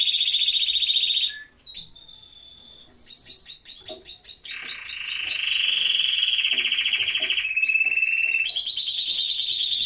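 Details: Canary singing in a home aviary during breeding season: a long chain of buzzy, rolling trills, each held a second or two before switching to a new pitch, with shorter chirps breaking in between.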